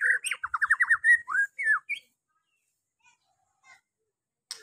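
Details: White-rumped shama song used as a lure to draw out quiet birds; a rapid run of about eight down-slurred whistled notes, followed by a couple of rising whistles, then near silence.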